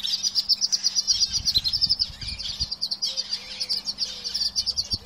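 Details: Caged canaries singing together: a dense, rapid stream of high twittering chirps and trills, with several low whistled notes sliding in the middle and scattered soft knocks and taps.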